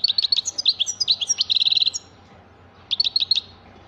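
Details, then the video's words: Goldfinch delivering a fast tinkling warble that ends in a quick buzzy trill, falls silent for about a second, then resumes with a short burst of bright twittered notes. "تغريد حسون رائع"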